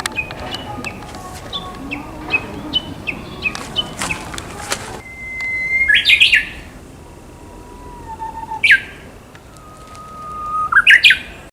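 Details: Japanese bush warbler song: a long steady whistle followed by a quick burst of rising notes, given three times, the middle phrase pitched lower; faint chirps of other birds precede it.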